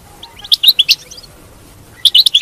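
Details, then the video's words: European goldfinch song, a recording for making a caged goldfinch sing on: a short phrase of tinkling chips, a quiet gap of about a second, then another quick burst of bright notes. "تغريد الحسون، بتبته الحسون"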